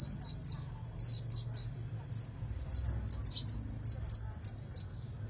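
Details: Red-headed bunting in active song: crisp high chips delivered singly and in quick pairs, spaced roughly every quarter to half second, over a constant faint high tone.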